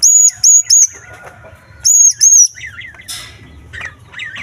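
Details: Green leafbird singing small-bird imitations to excite other leafbirds: three then two piercing whistled notes with a hook, followed by buzzy burst and softer rising-falling warbled phrases.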